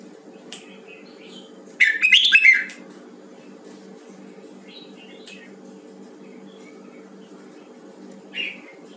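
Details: Red-whiskered bulbul of the Huế type, heard during voice training, gives one loud burst of rapid, bright chirping and warbling notes lasting under a second, with faint single chirps before and after over a steady low indoor hum.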